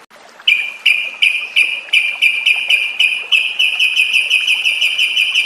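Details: Lure sound of a yellow-vented bulbul for training captive birds to ngropel: a rapid, buzzy pulsing trill that quickens and merges into an unbroken rattle.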